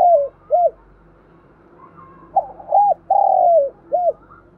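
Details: Spotted dove lure call for attracting wild doves: short arched coos, then a phrase with a quick stutter, an arched note, a long descending burry coo and a final short coo, with low background hum.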